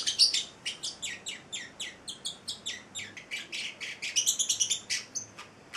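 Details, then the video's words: Eight-week-old male Celestial parrotlet, kept as a pet indoors, giving a steady series of short, high, harsh chirps about three per second, with a quicker, louder burst of chirps near the end. "Valentino, the Singing Parrotlet"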